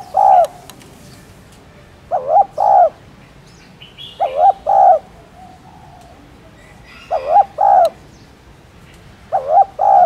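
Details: Spotted dove cooing, aimed at stimulating caged doves to coo: five regular two-part phrases, a short wavering note then a longer mellow coo, repeated about every two seconds, with occasional faint chirps in the background.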